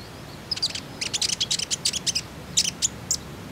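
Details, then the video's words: Common iora, used as a lure to prompt untrained captive ioras to sing: rapid bursts of very high, sharp chirps grouped in quick runs, a short pause, then a few more scattered notes. "KONIN IJOAN ANDA PASTI IKUTAN BUNYI, PANCINGAN TERCEPAT JADIKAN KONIN BAHAN RAJIN BUNYI"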